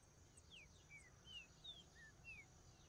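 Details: Whistled phrase of a green-winged saltator: six brief clear notes, each sliding downward, about every half second, with faint high chips behind and a constant hiss and thin high tone.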